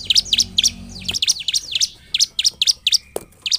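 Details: Lure song of a vigorously singing bar-winged prinia meant to make reluctant prinias sing: a quick, steady string of bright, high, clipped chirps, roughly four each second, with a faint low hum under the first second.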